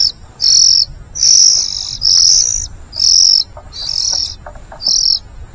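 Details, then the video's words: Oriental magpie-robin (kacer) chicks being fed by a parent: loud, hissing, high begging bursts about half a second long, repeated roughly every second, with faint clicks between. "Burung Kacer meloloh anaknya"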